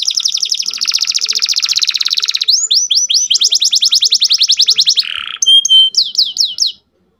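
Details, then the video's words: Lively young domestic canary song meant to rouse females into breeding condition: long high buzzing trill, a series of quick repeated whistled notes, a brief harsh burst, then sharp upward-sweeping chirps before silence. "MASTERAN KENARI MUDA GACOR ISIAN DAN BIKIN EMOSI - pancing kenari betina agar cepat birahi"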